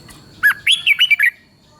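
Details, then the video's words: A single phrase of red-whiskered bulbul song in the southern Thai master style, played to excite bulbuls: five or six quick, loud, liquid whistled notes, swooping up and down in under a second. "เสียงนกกรงหัวจุก สำหรับต่อ หรือ เปิดให้นกคึก เสียงเพราะๆ"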